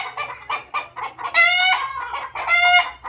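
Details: Desi rooster in a flock, short clucks leading into two strong crows, each a held harmonic note lasting about half a second to a second.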